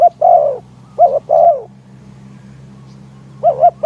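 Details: Decoy spotted dove cooing in strong wind to lure wild doves to a trap. One long coo opens, then a double-note-plus-long-coo phrase follows, a pause, and another double coo.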